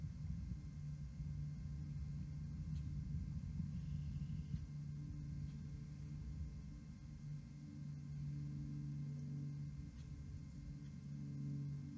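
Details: Only a steady low rumble and hum like distant traffic or machinery, with no animal calls.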